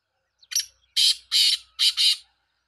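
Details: Black francolin calling: a short harsh note, then two long rasping, buzzy notes and a quick closing pair, five grating notes in under two seconds against a quiet background.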